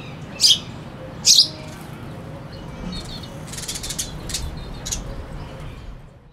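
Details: Two loud sparrow chirps in quick succession, followed by soft scratchy fluttering and faint clicks, a cuckoo singing in the background.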